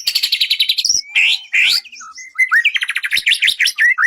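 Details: Songbird-contest training recording of a White-rumped shama: a fast rattling series of repeated notes, then a mix of slurred whistles, rising sweeps and short buzzy phrases, ending with rapid chattering notes.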